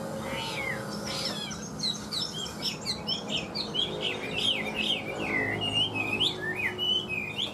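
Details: Chinese hwamei kept in a cage, large and freshly moulted, pours out varied melodious whistles, warbled loops and swooping slurs, building into a continuous phrase with a soft low hum beneath.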